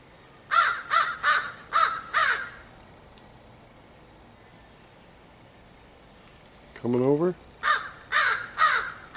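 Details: Harsh crow caws in two bursts on 30 August 2015: five rapid calls, a pause, a person's voice, then four more calls. Faint outdoor hiss throughout.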